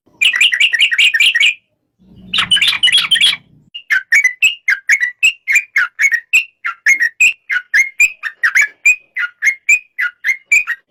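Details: Yellow-vented bulbul song with two dense bursts of quick warbling notes, followed by a long even series of short, slurred whistles repeated about twice per second.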